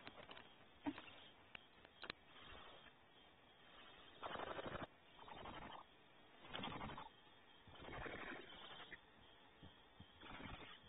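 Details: Nest-cam recording of Barn owls at Audubon Starr Ranch, California, while the male delivers prey; a series of harsh, breathy hissing screeches, each under a second, spaced one to two seconds apart over a faint steady background.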